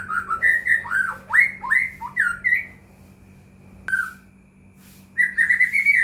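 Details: Lure song of a white-rumped shama meant to rouse quiet caged birds: rapid run of rich whistled notes sweeping downward, a pause, then another fluty burst, over a constant low electrical hum.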